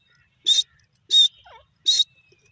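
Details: Grey francolin, also called teetar, calling: three loud, harsh, high-pitched bursts about 0.7 seconds apart, with a faint lower gliding note between the second and third. There is no other clear sound.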